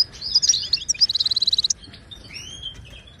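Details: Moroccan goldfinch training song in Widani and tbitba styles for silent caged birds; tangled high chirps give way to a fast ringing trill of a dozen repeated notes, ending with a soft rising whistle.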